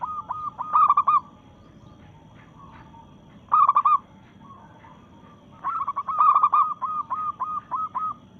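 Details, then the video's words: Zebra dove, local strain, challenging rivals while in breeding mood: three loud rolling coo bursts about every three seconds, the last one running into a long series of rhythmic, clipped coos. "Perkutut Lokal Gacor SUARA menantang lawan"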